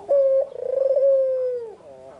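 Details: Single afternoon coo of a white Barbary dove with red eyes: a strong steady opening note, a pulsing rolling middle, then a long smooth tone that drops away, followed by a faint soft wavering note.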